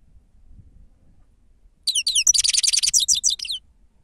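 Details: Grey-crowned goldfinch, 'sava' song used as a lure: a single burst of high, sliding chips runs into a fast, glittering twitter for under two seconds, preceded by near silence.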